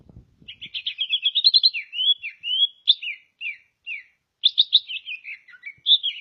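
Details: Greater green leafbird from Ngawi, East Java, said to be a vigorous singer and national champion; fast, varied whistled song of sliding, warbling notes in quick bursts, a short pause mid-phrase, then fresh rippling trills; a few low thumps at the start.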